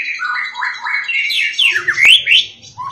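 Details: Insistent White-rumped shama song that provokes other shamas: rapid repeated rising whistles, then sweeping slurred notes, with a sharp click midway and low rumble near the end.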